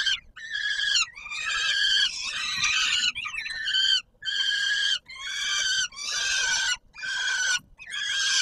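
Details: At the Palace of Culture and Science in Warsaw, Poland, on 17 July 2022, a peregrine falcon screams at feeding time: regular, harsh screeches, about one per second, separated by crisp short pauses.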